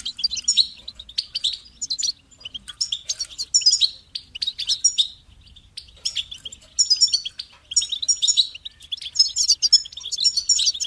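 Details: Bright, rambling goldfinch song: clusters of tinkling notes and buzzy trills in bursts separated by short silences, very clear over a quiet background.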